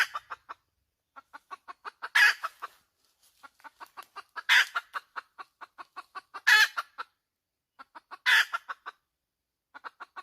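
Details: Hen: long strings of evenly paced, clipped clucks broken by four loud, coarse squawks about two seconds apart, in a quiet setting.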